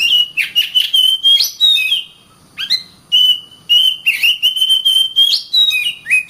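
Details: Oriental magpie-robin singing vigorously: a fast pulsing series of mid-pitched whistled notes with occasional higher flicks, a short pause, then the rhythmic run resumes.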